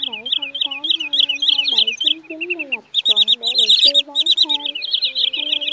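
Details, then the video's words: Lure sound of Common Greenshank and sandpiper for night net trapping of migrants, August 2023: piercing piping notes in fast series and pulsing bursts, overlaid with inserted singing and music. "Tiếng Choắt Bụng Trắng , Rẽ Hôi Bẫy Lưới Đêm Chim Di Cư"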